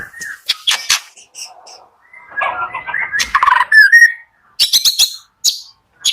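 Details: White-rumped shama morning song, played to get slow-singing shamas going: clear whistles, sharp high chips and a jumbled warbling passage with rising slurred notes.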